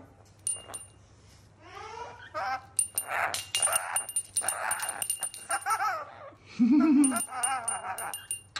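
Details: A pet rainbow lorikeet, described as a clown, chatters and babbles in rapid, speech-like phrases with rising and falling warbles. A bell jingles repeatedly behind it, and near the end there is a lower, wavering call.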